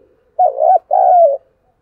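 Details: A spotted dove coos to spur captive wild-caught and decoy doves into calling in windy, rainy weather: two linked low notes, a warbled coo and a longer drawn-out coo that sags at the end.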